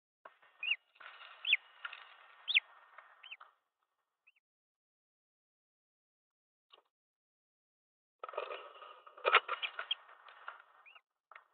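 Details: Green wood hoopoe at a nest box in Pretoria, South Africa, 18 December 2022, where the male brings food to the female and chicks inside: two bursts of harsh, rasping chatter, each about three seconds, with upslurred squeaks and a long silence between.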